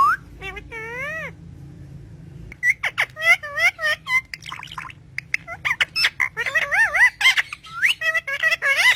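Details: Green pet parrot talking to its owner, making wavy whistled sounds and rapid speech-like chatter with warbling pitch bends, in a small indoor room.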